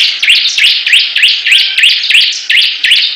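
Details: Bar-winged prinia song in a contest: clear, rising upswept notes repeated about three times a second in a steady, even rhythm, each note loud and clipped.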